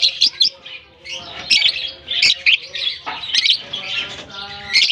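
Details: Freshly released lovebirds exploring a German colony in summer, filling the air with dense, piercing chirps and squeaks, frequent loud bursts scattered through and a short lull near the first second.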